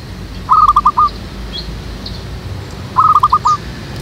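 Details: Lure zebra dove (local perkutut) at a backyard jackfruit tree for dove trapping, uttering two identical short phrases about two and a half seconds apart, each a fast string of five or six crisp cooing notes, over quiet outdoor background.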